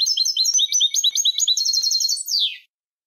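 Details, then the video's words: European goldfinch song for training young goldfinches: a rapid run of tinkling, chattering notes repeated in quick pulses, closing with a drawn-out, descending buzzy slur. "الشريط الملكي لتسميع فراخ الحسون 2020 - Goldfinch Song - Jilguero Canto"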